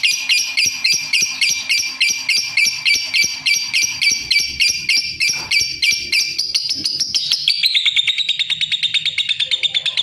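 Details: Lovebird giving rapid, evenly spaced harsh chirps, roughly three per second, that slide into a thinner, slightly lower squeaky chatter for the last few seconds; a faint hum sits in the background.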